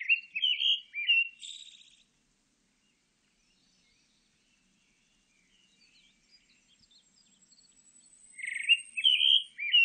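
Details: Two pale thrush song phrases, recorded in 2020, are separated by a long pause. Each has fluty, warbling notes; the first ends in a high buzzy twitter. Soft faint chips fill the gap.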